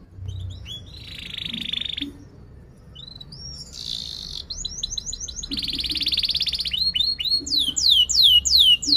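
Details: Canary singing sharp chirps and rolling trills to coach young birds and prompt silent ones. It opens with soft buzzy rolls between pauses, then builds to rapid chattering phrases and loud sweeping downslurred whistles.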